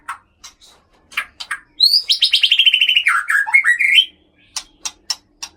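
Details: White-rumped shama kept in a cage in Aceh, from birds caught around Gunung Leuser, Sumatra: scattered dry clicks, then a rapid rattling trill sliding downward, a few rising whistled notes, and more sharp clicks at the end.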